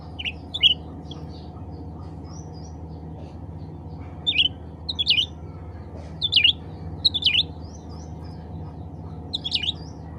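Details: Cucak ranting bulbul calling to other cucak ranting birds: short sharp chirpy notes in quick pairs and triplets, spaced a second or two apart, over a steady low hum.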